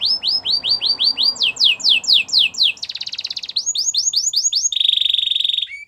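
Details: Canary song to stimulate a quiet canary: series of rapid upward-sweeping whistled notes, a buzzy roll, more repeated sweeps and a closing steady trill.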